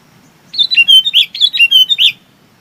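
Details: Chinese babax calling its flock with a rapid run of about ten loud, slurred, whistled notes alternating between higher and lower pitch, lasting under two seconds.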